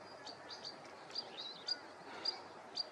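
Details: Whinchat calling: short, high, thin whistled notes repeated about every half second, with softer chirps between them over a steady hiss of background noise.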